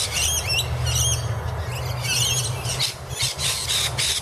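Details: Rainbow lorikeets squabbling near a camphor laurel tree in Annerley, with sharp, twisting squawks early on, then broad harsh screeches in short bursts, over a steady low engine-like drone.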